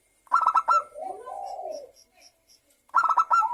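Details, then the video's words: Zebra dove song played as a lure to prompt local and Bangkok zebra doves to sing: a rapid staccato burst of clipped notes, then a soft wavering run of coos, and the burst again at the end. "Pancingan perkutut lokal agar bunyi dalam 1 menit perkutut lokal dan Perkutut bangkok langsung GACOR"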